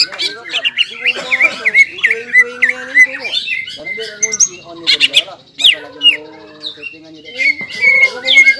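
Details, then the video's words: Agitated greater green leafbird pouring out ngobra and jamtrok song: rapid varied phrases mixing nasal squawks, warbled whistles and sharp clicks, pausing briefly before resuming with clear high notes. "CUCAK IJO GACOR INI NGOBRA DAN JAMTROK SUARA GACORNYA BIKIN CUCAK IJO MANA PUN EMOSI"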